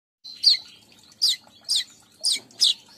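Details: Weaver birds in a lure recording for wild-caught weavers: five sharp, high chirps in three seconds, each a quick downward-sweeping note, spaced irregularly, with a faint low hum beneath.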